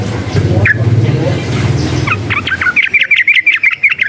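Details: Sooty-headed bulbul, a wild-type bird said to be stirred up by surrounding noise: after a rumbling engine-like background fades, a rapid run of bright, bouncing chirped notes repeats several times per second.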